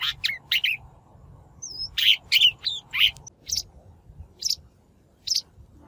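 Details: Shrike lure recording used for trapping or voice training of wild-caught birds: rasping notes clustered at the start and in the middle, with a thin whistle between them. The notes thin out to isolated chips toward the end.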